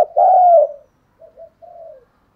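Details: Lure spotted dove with a thổ-style voice, calling to attract wild birds: one loud, drawn-out hoarse coo that falls away, followed by two short, much softer coos.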